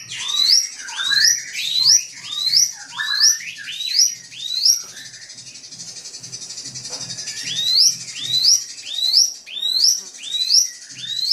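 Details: Drongo song intended to provoke a rival: runs of high, rising whistled notes roughly every half-second, broken by a quieter stretch in the middle, then resuming at the same pace.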